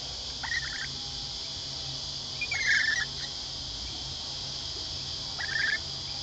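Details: Three short, shrill screeches spaced a couple of seconds apart from lorikeets being hand-fed near Sydney, Australia, at Lane Cove camping ground, over constant high-pitched background hiss.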